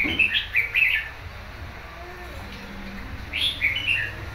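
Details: Wild-caught, untrained red-whiskered bulbul, kept for about a month, gives two short bursts of bright, liquid warbled phrases about three seconds apart, over a faint low hum.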